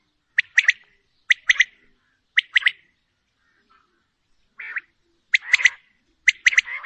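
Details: Common quail, female, uttering clusters of two or three sharp clipped notes, one cluster about every second, with a brief pause near the middle.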